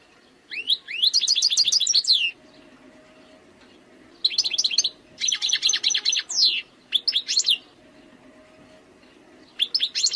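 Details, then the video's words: A wild European goldfinch sings in bright bursts of rapid, tinkling twitters and liquid trills, with brief pauses between phrases. "chant chardonneret sauvage khalwi حسون goldfinch jilguero تغريد مقنين خلوي"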